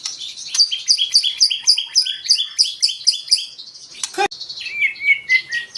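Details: White-rumped shama song used to provoke other birds into singing: rapid repeated high whistled notes, about four per second, then a sharp click and a varied warbling phrase.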